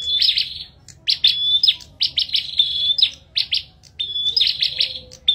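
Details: Bar-winged prinia in a singing contest: dense bursts of shrill, buzzy chips and thin whistles in quick succession, with a pause before the final phrase.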